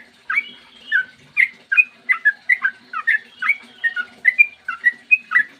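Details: Sooty-headed bulbul delivering a long, clear song for provoking other bulbuls to sing: evenly spaced liquid whistles, each a short slur, coming about three per second with a soft hum behind.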